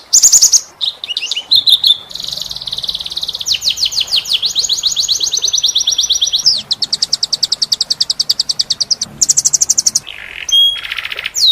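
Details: Canary song in a unique cengkok style for teaching other canaries: varied phrases of buzzy notes, long rapid rattling trills, and a brief bright whistled tone near the end.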